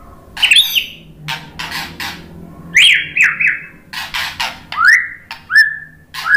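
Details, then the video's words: White-rumped shama kept as a caged songbird gives separated phrases of sharp chips and clear upslurred and downslurred whistles, spaced with brief gaps, over a faint low background hum. "suara KICAUAN MURAI BATU bikin NYAUT ikut BUNYI jadi GACOR NGEPLONG ¦ PANCINGAN MURAI"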